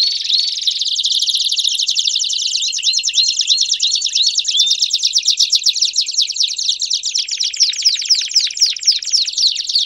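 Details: ['Belgian canary song made of quick high trills interspersed with short curved whistles, running continuously and shifting to a higher, denser trill in the last seconds.']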